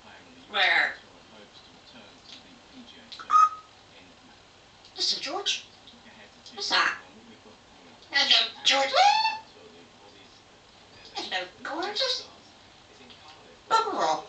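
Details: Pet African grey parrot recorded in 2009 chatting as usual indoors: spaced bursts of clear human-like words and phrases, about one every two seconds, mixed with whistled notes and squeaky mimicry, in a quiet room.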